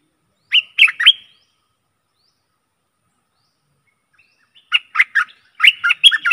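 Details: Stripe-throated bulbul decoy song for attracting aggressive wild birds: one short three-note warble, a long silence, then two chattering phrases of quick liquid notes near the end.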